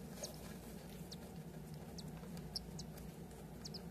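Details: Roughly six-day-old cockatiel chick making brief high squeaky peeps in loose bursts, some doubled, against a constant low droning hum.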